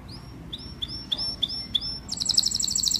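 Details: Canary singing to call the flock: a series of clear high upward-sweeping chirps about every third of a second, then a rapid buzzy high trill, over a low background rumble.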